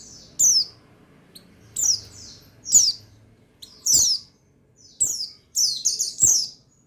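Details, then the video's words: Buxtoni white-eye male, recording dated 8/8/21, used to stir birds to sing: high downward-slurred chirps, one burst roughly every second, ending in a busier twittering cluster, with crisp tapping clicks between. "Buxtoni Menaikan Emosi Burung Pleci Bahan Agar Pleci Bustomi Gacor Cepat Bunyi"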